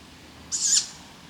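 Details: A single harsh, hissing, high-pitched breathy screech lasting about a third of a second at night, heard from the ground near a garden wildlife bank, initially thought possibly a frog; a viewer's app identified it as a Tawny Owl.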